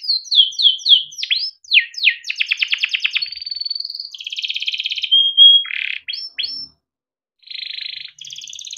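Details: Long continuous song of a male yellow canary, kept by a breeder and used as tutor song for young canaries: rapid falling whistled notes, a buzzy rattling trill, a pure steady whistle, then harsh buzzy rolls, with a brief pause.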